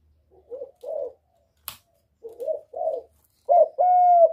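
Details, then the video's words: Spotted dove cooing to provoke other birds: soft, breathy coos in pairs, a single sharp click, then a louder, clearer closing phrase ending in a long, steady hoot. "Cu Gáy Giọng Cực hay kích bổi hiệu quả nhất, terkukur"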